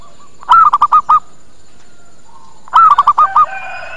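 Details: Zebra dove lure call used to draw birds in quickly and get them answering: two rolling phrases, each a rising-falling opening coo followed by four short bubbling notes, with faint background hum.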